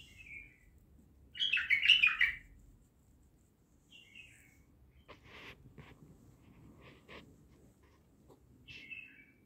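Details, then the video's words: Bulbul song at Naft Khaneh: short descending whistled notes, then a loud jumbled warble, then more brief whistles separated by gaps filled with scattered clicks and taps. "بلبل خام نفط خانه"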